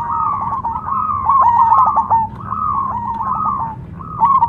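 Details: Steady cooing song from a Cemani zebra dove: smooth, undulating trilled phrases follow one another almost without pause. The last phrase is slightly louder.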